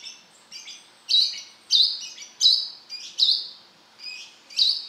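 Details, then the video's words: Vigorous song of a brown-throated sunbird: high, piercing whistled notes, some softer and some loud with sharp attacks, delivered in an uneven run of about nine notes, background otherwise quiet. "Suara burung kolibri kelapa gacor beset"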